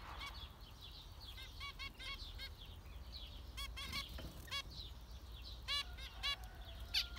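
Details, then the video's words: Numerous zebra finches trade loud nasal beeps, frequently doubled or tripled, with rapid high chatter between them and a low steady hum underneath. "Zebra finchs"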